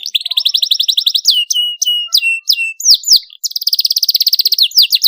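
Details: Canary pouring out a sharp rolling song to stimulate young canaries to sing. A rapid high trill gives way to repeated downward-swooping whistles about every third of a second, then the fast roll resumes.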